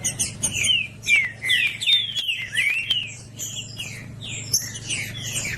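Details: Green-winged saltator (trinca-ferro), a tutor bird ('professor'), singing to warm up another trinca-ferro: loud clear whistled phrases, many slurred downward and upward, given in rapid succession with brief pauses between.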